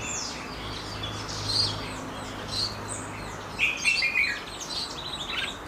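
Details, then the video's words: Goldfinch mule, a hybrid cage bird, singing a varied stream of high twittering notes, slurred whistles and rapid trills, louder near the end, over a low steady hum. "Goldfinch mule"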